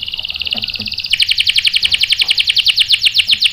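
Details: Canary song meant to trigger male canaries to answer: a steady high rolling buzz breaking into a rapid, even trill of sharp repeated notes.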